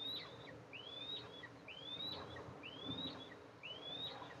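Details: Eastern imperial eagle nest on a pine 20 m up in an oil and gas area, 14 July 2024, as the mother arrives to feed two eaglets: thin, high whistled notes slurring upward then levelling, about one per second, over soft hiss.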